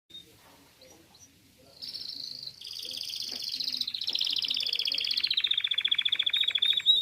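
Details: Spanish timbrado canary singing at a canary and goldfinch exhibition in Morocco: quiet opening notes, then a loud, high rolling trill that runs unbroken and slowly drops in pitch, ending in fast metallic pulses.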